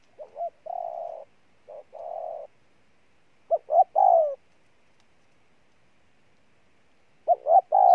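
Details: Newly wild-caught spotted dove giving a powerful cooing display: short clipped notes followed by longer level coos, delivered in loose bursts separated by silent pauses of a few seconds, no other sounds.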